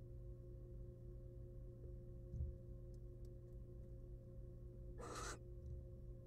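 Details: Wild female barn owl in a nest box, back on her eggs after swallowing a whole rat, utters a single short raspy hissing screech near the end, after a quiet stretch with a low electrical hum and a soft thump.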